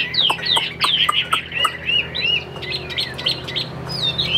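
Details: Chinese hwamei of the Tam Hoàng type, praised for a calm temperament and a fine, even voice, sings fast, loud, slurred whistles, rising and falling in quick phrases, with sharp clicks scattered among the notes.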